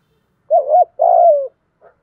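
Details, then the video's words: Part of a spotted dove's giọng thổ pha song, used to prompt decoy birds. A wavering hoot is followed by a sustained coo that sinks slightly in pitch. A faint note comes after. "cu gáy giọng thổ pha, kích bổi nhanh gáy/ giọng hạp bổi"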